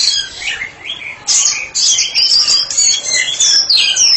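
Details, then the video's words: White-rumped shama kept as a therapy specialist, singing in the continuous open ngeplong style: a rapid, varied stream of high whistles, trills and sharp slurred notes with no pauses. "Murai batu spesialis terapi sedang ngeplong"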